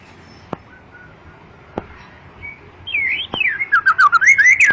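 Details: White-rumped shama, described as long-tailed and commanding, singing: a few faint clicks, then from about three seconds a loud run of rich whistled notes that swoop and fall, delivered in quick succession.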